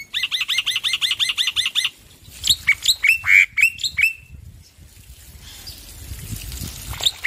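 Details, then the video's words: Male black-winged myna singing loudly and persistently. About ten fast, evenly spaced chirping notes come first, then a few harsher, squawky rising and falling notes, followed by quiet background. "Masteran Jalak Putih Jantan Gacor Suara Keras"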